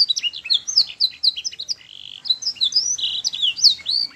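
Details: Young canaries are meant to copy this repeated master song: quick high chirped phrases, a low buzzy rolled note near the second mark, then fast sliding whistles resuming until the end.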